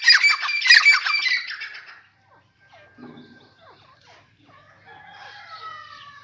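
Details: Grey francolin calling on a morning walk: a loud burst of harsh, grating squawks crowded into the first two seconds, then quiet, with faint softer bird calls and a thin rising whistle near the end.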